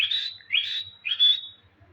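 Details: Pet Indian green ringneck parakeet uttering three bright, rising whistled calls, each sliding up into a steady high note, roughly half a second apart, with a quiet room hum underneath.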